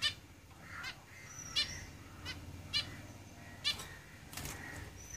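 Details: Caged zebra finches repeat short, trumpet-like nasal calls about once a second, interspersed with faint thin whistles and soft chatter.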